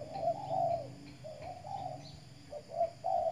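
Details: Spotted dove, a decoy bird, sunning in the morning in the Riau Islands: low, soft hollow coos repeated in short phrases with brief pauses, over a faint steady background hum.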